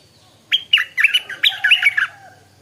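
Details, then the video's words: Morning song of a stripe-throated bulbul: a lively phrase of about six rapid, chirpy, bubbling notes that rise and fall sharply over roughly 1.5 seconds, with a faint low hum underneath. "เสียงนกดอกแตงEp.142 กินกาแฟฟังเสียงนกต่อเจ้าตัวเล็กยามเช้า(Stripe-throated Bulbul)"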